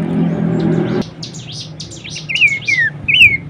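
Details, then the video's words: Horsfield's babbler training song: after a second of low rumbling noise, a scatter of buzzy chirps gives way to three clear, slurred whistles. Each dips and falls, about half a second apart. "materi vokal mewah cetak jawara dengan masteran Topcerr khas burung pelanduksemak."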